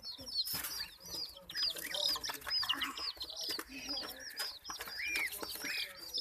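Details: Many terrified chicks under attack by ducklings and a puppy, giving a dense, overlapping stream of high, shrill, arched peeps, roughly two per second, with scattered rustling and bumping noises.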